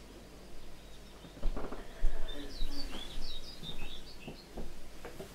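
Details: European pied flycatcher, one of a group of three, recorded through glass so its song is faint even with the window open: a brief run of high, sweet, slightly jerky notes partly covered by low rumbling and knocking thumps.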